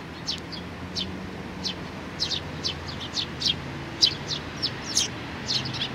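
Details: Young sparrows, 27 June 2019: a busy run of high, sharp chirps, sometimes in quick pairs and threes, against a low background drone.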